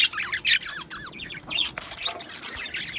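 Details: Chirping from two male Australian budgerigars: clear short notes, many sliding downward, delivered in quick bursts with brief pauses, then softer mixed twittering.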